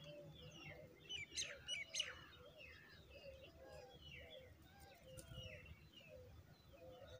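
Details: Oriental magpie-robin parents feeding their chick; bright chirps in a quick cluster early on, then softer downslurred notes repeated throughout, with lower, rhythmic calls from other birds running underneath.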